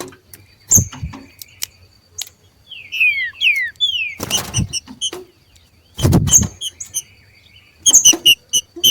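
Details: Green-winged saltators, two wild birds competing, give a quick series of short down-slurred whistles midway, set among sharp high chips, sparse clicks and bursts of knocking noise.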